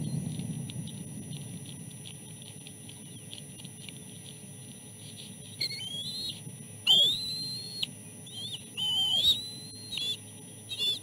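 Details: Begging chicks at a nest during feeding on fish, the oldest with something stuck in its throat; after quiet chattering, loud high whistles arrive in bursts, each rising then leveling, with soft clicks between.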